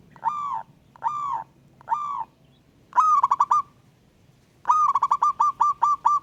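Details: Local wild-type zebra dove in Indonesia calling to a rival: three drawn-out rolling coos, then longer phrases of quick stuttering notes, clean and loud against a quiet background.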